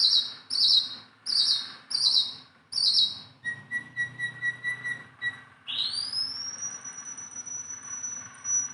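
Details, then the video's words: Singing tame cage-bird Sunda bulbul: five quick, harsh high chirps, then a string of soft ticking notes, and finally a long pure whistle that sweeps upward and holds steady. "BURUNG JONGKANGAN GACOR TELER JINAK PETETAN"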